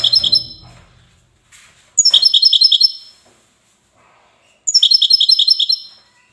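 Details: Goldfinch song recorded in Safi: three lively bursts of quick, ringing, high-pitched notes, each about a second long, separated by short silences, with one soft low thump near the start.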